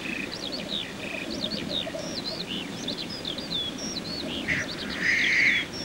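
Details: Black grouse lekking during courtship display: a low, continuous bubbling murmur runs beneath the clip, with a broad hissing burst near the end. Other birds sing over it throughout with many quick, high, chirping and whistled phrases.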